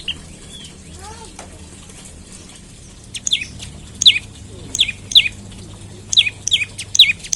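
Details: Morning lure calls of an olive-backed tailorbird to make other tailorbirds sing: after a quieter opening with a few soft sounds, loud, high, falling notes begin, some in rapid pairs.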